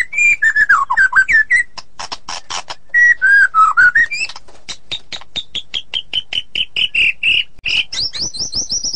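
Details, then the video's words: White-rumped shama singing a long varied phrase: wavering whistles falling and rising, then a steady series of rapid clicking notes and a run of high repeated whistles. "Murai ngeplong dan ngeroll super rapet"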